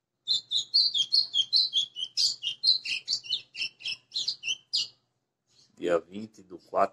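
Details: Golinha (white-throated seedeater) singing açoitando azulão on 20 April 2020: a rapid burst of bright, high, clipped whistles and chirps lasting nearly five seconds, then a man talking.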